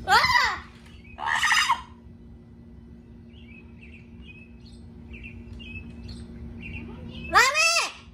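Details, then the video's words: Pet Amazon parrot kept at home, desperate to see its owner: harsh, raspy squawks, two loud ones at the start and one at the end, with soft whistled notes in between over a low indoor hum. "Loro desesperado por ver a su dueño"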